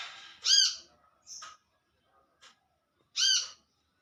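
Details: In the wild, an olive-backed sunbird calls to its companions with two loud, nasal, arched notes about three seconds apart and soft chips and ticks between them.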